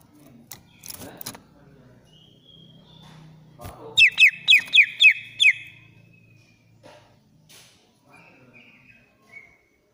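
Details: Greater green leafbird of the Banyuwangi type in agitated, shrill song to prompt a silent bird: a soft whistle, then five loud looping whistled notes in quick succession, followed by faint short phrases and low background rumble.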